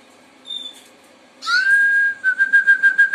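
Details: Harz Roller canaries singing: a low, steady sustained whistle that then breaks into a fast pulsed roll of about eight beats per second, preceded by a faint higher note.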